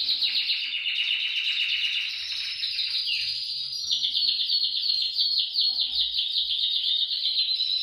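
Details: Canary song for prompting canaries to sing: fast chattering trills, then a brief dip, then higher rolling pulses repeated rapidly, all bright and continuous.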